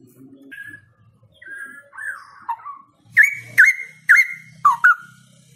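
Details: Straw-headed bulbul in full song: soft, scattered opening notes build into a burst of five loud, bubbling, fluty whistles that swoop down and up, with a low background rumble.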